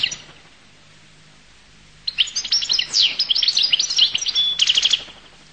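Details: Goldfinch from Collo bursting into a rapid, excited twittering song after a quiet start, dense high chirps and buzzy trills tumbling for about three seconds, ending in a quick stuttered series.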